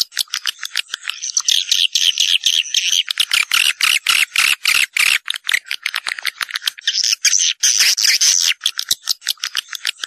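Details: Swiftlet calling sound for luring birds to a nesting house: rapid rasping chirps and clicks, about four each second, with buzzy high chatter swelling near the start and again near the end.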